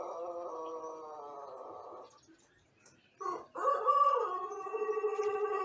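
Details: Morning practice of a young Pelung rooster from Indonesia, one month learning to crow: the tail of one long crow fades out, a short pause, then a second crow begins with a rising, arching note and levels off.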